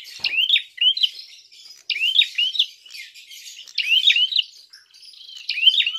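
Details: Fighting call of a prinia, meant to provoke other birds: bursts of two or three sharp hooked chirps, roughly every second, set against continuous high twittering with a brief click near the start.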